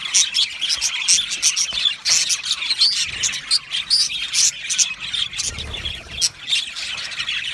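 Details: Many budgies in an aviary chirp happily, busy high twitter broken into choppy bursts, with several short thin whistles and a few squawky notes among the chatter.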